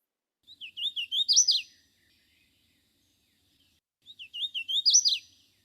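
Hooded Warbler singing twice, each a clear, slurred whistled phrase of looping notes rising to an emphatic ending, about three seconds apart, with nothing else heard.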